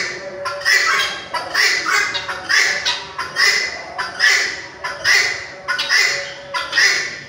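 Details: ['A red-wattled lapwing calls repeatedly, with shrill, piercing notes coming in a regular rhythm of about one per second, some in quick doublets.']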